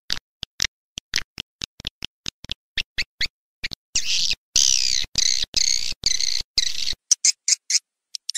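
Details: Swiftlet lure call for farmers: spaced sharp clicks, then a stretch of loud high twittering bursts, then more clicks; a faint low hum sits under the middle section.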